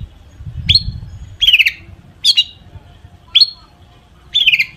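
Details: Long-tailed shrike in mimicry-filled song used to prompt other shrikes to sing: five harsh, buzzy descending notes spaced roughly a second apart over quiet background.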